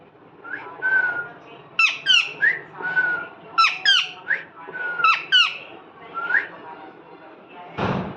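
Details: Parrot alternating soft flat whistles with paired sharp descending chirps, repeated several times, ending in a brief broadband noise burst.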